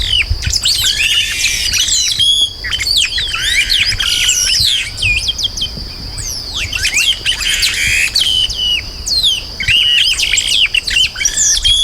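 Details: Long, busy chestnut-capped blackbird song: tangled bursts of whistles, chirps and downslurs with brief pauses, above a constant high-pitched ringing background.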